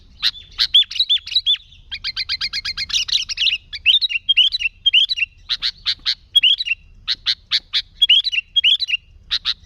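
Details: Sooty-headed bulbul singing energetically in the 'gacor' style, meant to draw in other bulbuls: loud sharp chips and bubbly whistled phrases, including a fast rattling run of notes, all tumbling together.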